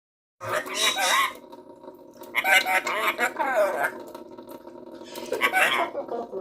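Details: Pet bird in a sink, excited and acting wildly at bath time: three loud, harsh squawking bursts with wavy, warbling tones, about a second each and spread over six seconds, above a steady low hum.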